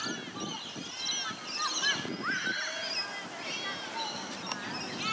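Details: Masked lapwings in Sydney give loud, harsh, strident calls in quick overlapping bursts, with a low murmur that may be distant voices underneath.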